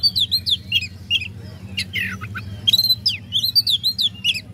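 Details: Oriental magpie-robin song used to provoke rival birds into singing: rapid varied high whistles, chirps and buzzy notes in quick succession over a steady low hum.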